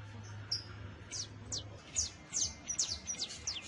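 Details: Juvenile saffron finch first songs, a few spaced, high downslurred chirps building into a quicker cluster, with a low steady hum behind.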